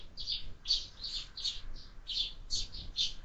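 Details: Sparrows at a window-mounted feeder used for year-round bird feeding: a steady run of short, bright chirps, roughly two or three per second, somewhat irregular, over a quiet low background.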